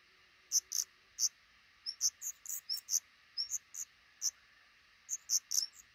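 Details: At a black redstart nest tucked under a roof over a busy front door, where a pair raises five newly hatched chicks: quick high-pitched ticking notes, irregular, singly and in pairs and short clusters.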